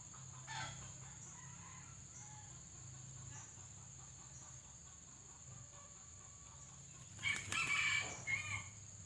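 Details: Red junglefowl decoy with white legs, set out to lure wild birds into a trap; after a quiet stretch of faint notes, a loud multi-part crow of harsh bursts closes the recording over low hum.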